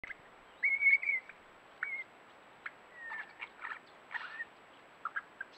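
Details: Young wedge-tailed eagle at a bird hide in Patchewollock Conservation Reserve gives thin, high whistles: a drawn-out note, then scattered short, slurred whistles and chirps over a few seconds against a quiet hiss.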